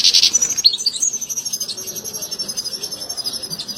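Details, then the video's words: A European goldfinch sings its mating song, said to bring a female into mating posture. Bright high chirps open it, followed by a sustained tinkling, twittering run with quick repeated pulses. "بتبتة بعد سماعها تتخد الأنثى وضعية التزاوج+صوت التزاوج goldfinch chardonner hason"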